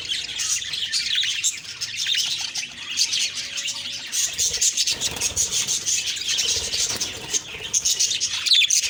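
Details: Budgerigars chirping in the morning, a constant scratchy high-pitched chatter from many birds, with some soft rubbing noises underneath.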